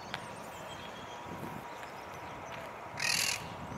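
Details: Monk parakeet gives one harsh, grating squawk of about a third of a second over steady outdoor hiss, among flowering trees where it feeds on blossoms.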